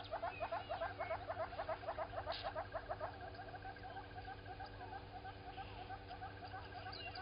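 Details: Southern red-billed hornbill walking around by Gowrie dam, Djuma Game Reserve, South Africa, 07:53, 16 September 2020, waterhole camera; loud rapid clucking tok series for three seconds, then fading to softer notes and distant bird chatter.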